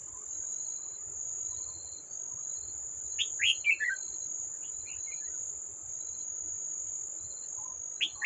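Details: At a trap on 18 July 2024, a wild red-whiskered bulbul attacks a decoy. It delivers a mid-clip run of quick, falling whistled notes and a short chirp at the end. Steady high insect drone and soft background hiss are heard.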